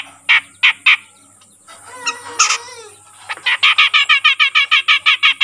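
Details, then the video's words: Grey-cheeked bulbul, an untrained young bird now calling often. Three harsh, nasal notes come first, then a bent squawk, then a fast string of rasping notes repeated about three times a second. "suara burung cucak jenggot bahan yang mulai rajin bunyi"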